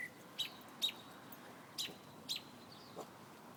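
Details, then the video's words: Singing bird giving quick, sharp high chirps in an uneven series of about five notes in three seconds, each with a brief trailing tone, against broadband outdoor background noise. "bird singing"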